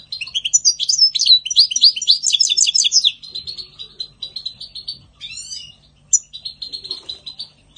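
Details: European goldfinch spring song: a long, rapid, jangling cascade of tinkling notes for three seconds, then quieter rapid chips, a descending trilled flourish and more chattering.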